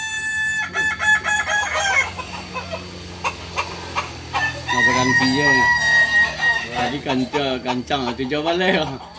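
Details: Crowing kukuak balenggek chicken at a Sunday practice gathering in Ampang Kualo: a steady, clear held note in the middle, then wavering stepped notes, amid clapping, murmuring people and overlapping crows.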